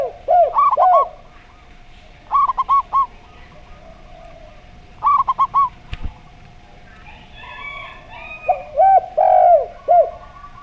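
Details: Zebra dove singing in the slow voice style, pitted against a spotted dove: quick bursts of four short, stuttering hooted notes repeated every two seconds, then the other dove's lower, arched coos, over a steady electric hum.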